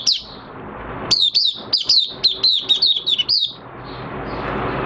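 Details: Oriental white-eye in minor moult, a kept songbird, dated 3 June 2022, delivers a quick run of about eight bright, high, down-slurred chirps over about two seconds, with soft continuous twittering and faint hum behind.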